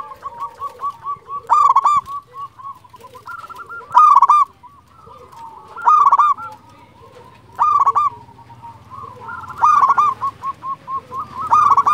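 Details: Local zebra dove, a lively champion caller used to lure and stir other zebra doves: loud stuttering cooing bursts with rolling trills, repeated about every two seconds, softer cooing from other doves between bursts.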